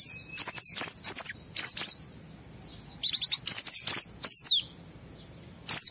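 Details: White-eye in fired-up song used as a lure so other white-eyes respond, delivering clustered bursts of high, twittering chirps and slurred whistles with brief silences between groups.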